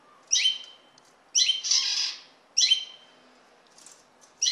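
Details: Common linnet calls: sharp, bright chirps with a brief ringing tail, about one a second, with a rough rustling burst after the first notes.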